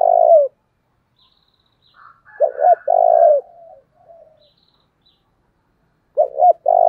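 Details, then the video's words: Spotted dove decoy bird calling to provoke wild doves: deep cooing phrases of two quick notes and a longer drawn-out coo, heard at the start, midway and the end, with soft murmured coos between. "Cu mồi thúc vầy chịu gì nổi"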